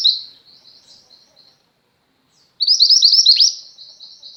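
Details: Singing female mountain mantenan white-eye, kept as a model for pet white-eyes: a soft high twitter fading out, a silent gap, then a loud, rapid run of sharp descending chirps.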